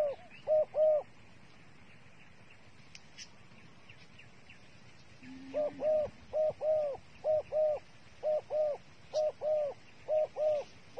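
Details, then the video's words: Decoy dove used as bait, cooing in soft, rounded two-part notes, first a short pair, then after a pause a long run of evenly spaced coos. "The five videos of the dove bait are really good to wa"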